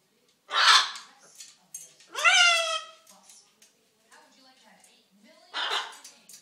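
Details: Talking and dancing macaw seeking attention and food: two loud raspy, voice-like bursts early on, then softer murmuring and a final harsh utterance, with faint human speech underneath.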